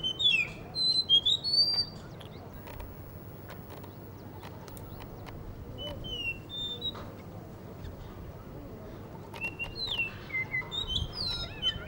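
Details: In Hunza, a Blue whistling thrush near a guesthouse under construction sings quick whistled phrases at the start and end, with a few scattered whistles and sharp clicking or tapping sounds in between.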